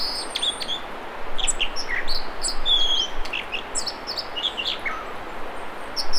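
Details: American Dipper song from the Mamquam River spawning channels near Squamish, B.C.: varied high chips and short whistles with one longer slurred, buzzy note midway, delivered over constant rushing river noise.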